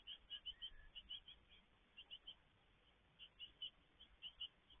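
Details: Great tit feeding at a garden nest box on 17 May 2022: high, thin chirps in quick clusters of two or three, repeated through the recording over a faint, steady background hiss.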